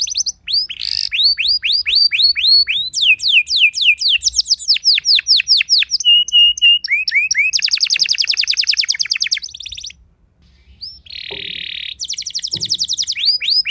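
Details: Long canary song aimed at stirring other canaries to sing: series of rapid rising swept notes, a brief steady whistle, then dense rattling trills, a pause, and a buzzy trill resuming.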